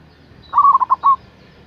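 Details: One clear phrase from a strong-voiced local zebra dove luring a rival: a rapid, stuttering string of five coo notes on a single mid pitch. The final note is held a little longer, and the background is quiet.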